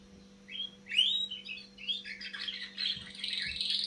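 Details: Young canary beginning to sing: short rising whistled notes, then a run of jumbled, scratchy warbling phrases that grows steadier toward the end; a steady low electrical hum underneath.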